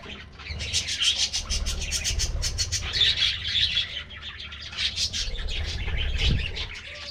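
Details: Aviary budgie colony during a morning treat feeding: many birds chirping and chattering together in quick, high, scratchy bursts, louder surges rising and falling, with low thumps and wing flutters beneath.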